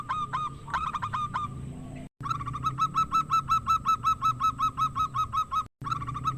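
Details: Local zebra dove (perkutut lokal), a rare-voiced bird singing loudly, used as a lure to provoke silent rivals into singing: rapid series of nasal, harmonic-rich coos repeated nearly three times a second, with short breaks between bursts.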